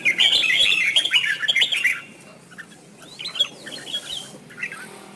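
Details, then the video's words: Red-whiskered bulbul singing in competition style, used to train and excite other bulbuls; a loud two-second burst of rapid warbled chirps, then quieter scattered short notes. "Chào mào hót múa đỉnh - Hay nhất - Chào Mào hót múa hay chơi cánh xòe kích trống | chào mào múa"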